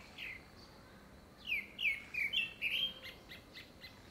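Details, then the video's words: Fluty courtship phrases from a grey-backed thrush, thought to be singing for a second breeding; a quick string of slurred whistles, some dropping in pitch, then softer quick notes trailing off. "되지빠귀 울음소리"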